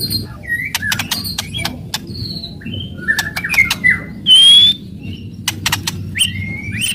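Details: Aggressive white-rumped shama singing to provoke other shamas: sparse sharp clicks, scattered short whistles and one long loud high whistle near the middle, with background hum.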